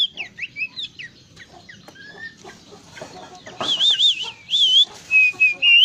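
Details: Energetic bush warbler song, local name plenduk semak, with varied notes: soft chips and slurred whistles at first, then louder wavering trilled whistles and a few long clear notes toward the end.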